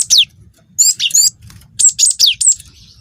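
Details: Cinereous tit youngster, wingko type, singing to lure other birds: clipped high whistles and downward-sliding notes in quick groups of three or four, separated by brief gaps, with a soft low hum beneath.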